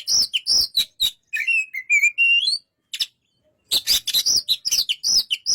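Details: An Oriental magpie-robin gives a fast series of loud, buzzy chips. A smooth phrase of sliding, rising whistles follows, then a pause, then another rapid run of sharp, repeated notes.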